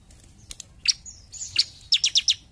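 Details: Bar-winged prinia in full song, giving a few thin, separated notes and a brief slurred whistle before four rapid, sharp, high chirps at the close.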